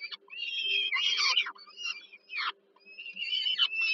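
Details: Young peregrine falcons being fed by their mother at supper on the Żerań power plant, Warsaw, Poland, 15 July 2022, giving loud grating wheezy screeches in rapid bursts with short silent breaks, plus a faint constant hum.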